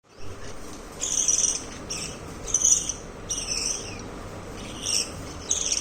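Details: A family of pet budgerigars chatter in short, scratchy, high-pitched bursts, a few chirps coming every second or so.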